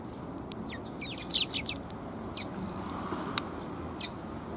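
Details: Cute sparrows, including a tailless bird, on an outward walk on 17 January 2022: a short cluster of bright, quick chirps, followed by scattered fainter single chirps and a few sharp clicks against a soft hum.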